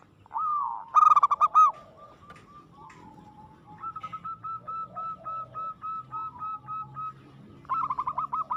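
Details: Aggressive, frequently singing local zebra dove: a loud burst of rapid, stuttering cooing notes, then a long string of short, evenly spaced coos, and a final stuttered phrase.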